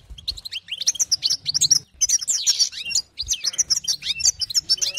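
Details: European goldfinch performing excited 'batbata' twittering, meant to rouse other goldfinches: three dense runs of fast, slurred, ringing high notes and buzzy trills, split by brief breaks.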